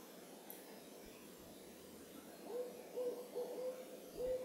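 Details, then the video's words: Moonrise owl call from the Carpenter Mountain fire lookout in H.J. Andrews Forest, Oregon, USA: silence broken halfway through by a string of short, level, hollow toots repeated at a quick, slightly uneven pace. "Owl Calling at Moonrise"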